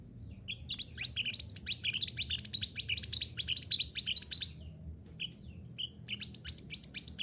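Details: Mantenan gunung song for training caged birds to sing: long, fast streams of high sweeping chirps and trills, a short pause, then the rapid phrase starts again, with faint low background noise.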